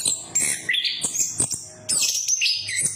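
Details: Orange-headed thrush lure song: short bursts of very high chirps and slurred whistles separated by brief gaps, scratchy and varied, with a low hum in the background.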